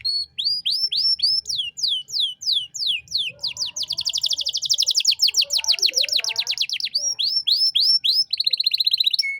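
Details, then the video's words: Master song of a constantly singing canary in the luxurious 'cengkok mewah' style, used to train young birds: a series of swept whistled notes about four per second, then a fast dense trill and a steady high rattle. "Masteran Kenari Gacor Cengkok Mewah untuk Burung Bahan"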